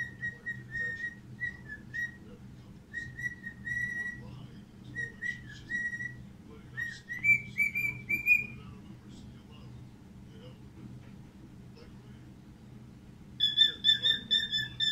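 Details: A pet cockatiel welcomes its owner home, whistling a warbling greeting song of repeated, wavering notes that climb higher, then turn louder and sharper.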